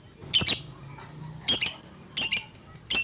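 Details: Lovebird in vigorous, excited calling, giving four sharp, piercing double squawks spaced roughly every 0.6 to 0.9 seconds, high and scratchy, with faint low rumble beneath.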